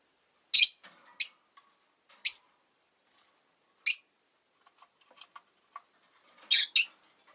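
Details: Caged rosy-faced lovebirds, five birds kept by a window, calling often regardless of winter: a series of short, piercing high chirps at irregular gaps, some paired, with faint soft ticks in between.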